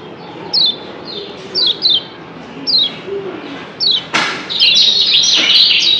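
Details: Lombok kecial kuning, a yellow white-eye, giving 'doble ciak' answering calls: scattered high down-slurred chirps, sometimes doubled, then a sharp bang and a loud rush of rapid twittering.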